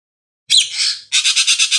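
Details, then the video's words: Racket-tailed treepie giving a harsh, grating squawk, then a quick run of about six raspy notes in under a second. "Ekek Keling"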